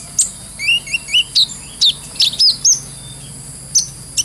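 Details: Brown-throated sunbird singing in an energetic, clear-voiced ngobra style, used as a tutor recording for cage birds. It gives scattered short high chirps and quick downslurred whistles, with brief pauses between notes.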